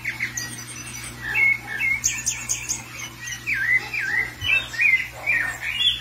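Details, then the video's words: A thrush, excited after seeing another thrush loose, gives a rapid run of squawky chirps and short warbled phrases, rising and falling in pitch, over a steady low electrical hum. "O Sabiá viu o outro solto ficou doidinho"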